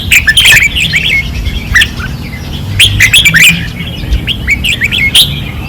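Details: Caged red-whiskered bulbuls on a training perch sing fiercely in 2024. Short whistled, warbling phrases overlap in quick bursts, with several birds seemingly answering one another over a steady low hum.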